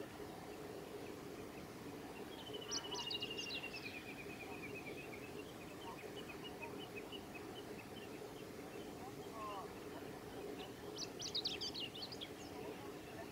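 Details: Male Chestnut-eared Bunting singing at Yashimagahara wetland, 15 July 2018: two short, high twittering phrases about eight seconds apart, each ending in a quick jumbled trill, over a steady hiss of wind.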